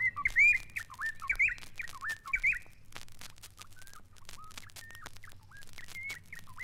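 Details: White-browed Robin-Chat in East Africa giving loud, rich bubbling whistled phrases that rise and fall in loops, about one a second, with a low hum beneath.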